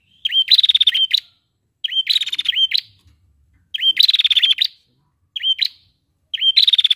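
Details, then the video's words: Prinia giving short bursts of rapid, high, buzzy trills around a second long, repeated about every one to two seconds, apparently responding to a female prinia; nothing else heard. "Prenjak Malas Bunyi Langsung Gacor Dengar Prenjak Betina Ini"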